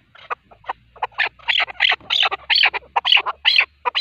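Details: Male partridge calling, as used for hunting; harsh, rhythmic chattering notes that start soft and sparse, then grow louder and denser into grating bursts.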